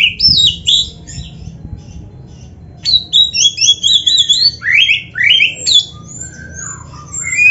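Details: Oriental magpie-robin (kacer) in full, varied song used as training material for caged birds: rapid high whistled phrases, slurred rising and falling notes and short chirps in bursts, after a quiet pause near two seconds.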